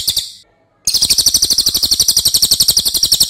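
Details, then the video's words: Racket-tailed Treepie song used as master for training cage birds, a brief pause then a shrill, rapid rattle of sharp repeated notes, about four each second, very loud and steady. "MASTERAN CILILIN OKE BANGET"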